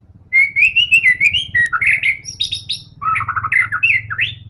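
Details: White-rumped shama singing varied whistles, high chips and a fast descending trill, played to make other shamas sing; low humming background noise throughout.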